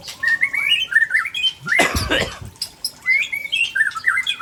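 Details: White-rumped shama of Tangse origin from Aceh giving rare fill-in song: quick slurred whistle phrases on either side of a loud low thump about two seconds in.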